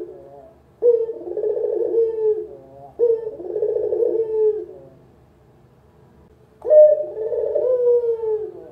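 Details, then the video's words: Spotted dove, a local bird, recorded as a lure call: three throaty coos, the first two back to back, then a pause before a third with a sharper rising start and a trembling, falling close. "Masteran Burung Puter, Suara paling dicari untuk PEMULA"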